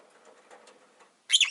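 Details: Rosy-faced lovebird, one of five birds caged by a window, giving a single shrill, harsh chirp at the very end after faint indoor background rustle.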